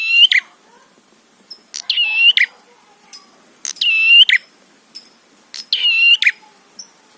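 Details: Prinia provoking song for luring rival birds. Four evenly spaced grating buzzy phrases, about one every 1.4 seconds, each with a sharp final chip. Faint high tones sound between them.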